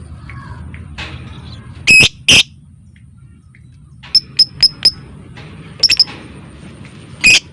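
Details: Lovebird recording in ngetik and ngekek style, used as a lure for song and breeding: two harsh squawks, a pause, then scattered clusters of sharp high ticks and a final squawk.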